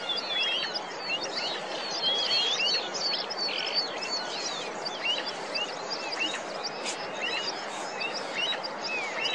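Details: Snow Partridges give a dense, continuous chorus of piercing, high-pitched squeals and whistled notes, many overlapping, over steady hiss, in a high meadow below a snow tongue above rhododendron treeline, Srikantha valley, upper Garhwal Himalaya, Uttarakhand; buntings, larks, pipits and finches also calling.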